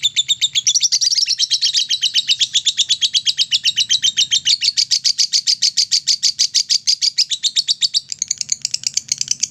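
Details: Lovebird singing ngekek, a lure song meant to excite other lovebirds: a sustained, fast, buzzy chatter of high piercing notes, rising in intensity early on and continuing without pause to the end.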